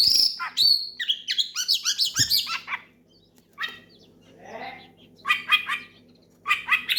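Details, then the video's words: Oriental magpie-robin singing loudly to call a rival and set other magpie-robins singing: a fast burst of varied whistles and chattering notes, a pause, then two more short rattling phrases, with a faint low hum behind. "SUARA KACER MEMANGGIL LAWAN NGEPLONG KERAS BIKIN KACER LAIN IKUT GACOR"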